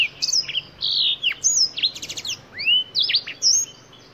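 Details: Song of a black-throated canary, an African finch: fast high whistled notes, downward swoops and a short buzzy trill, delivered in a continuous lively phrase.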